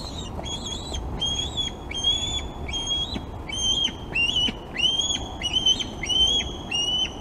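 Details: Osprey at the Glaslyn nest on 26 August, with fish being brought to the young. It gives a series of high, whistled, slightly downslurred chirps, about one or two per second, over steady background hiss.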